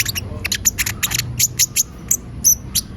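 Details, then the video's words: Olive-backed sunbird singing as a lure; short, very high, squeaky chirps in quick bursts, with a faint low hum in the background. "Pancingan suara burung konin gacor"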